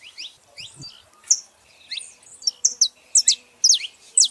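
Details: Female and male saffron finches making noise together: soft, scattered high chips at first, then louder bright downslurred notes given in irregular pairs and runs toward the end.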